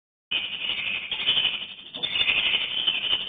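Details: Swiftlet colony entering a swiftlet nesting house; after a brief silence a dense, continuous rattling chatter of many high twittering calls begins, swelling and easing in waves throughout.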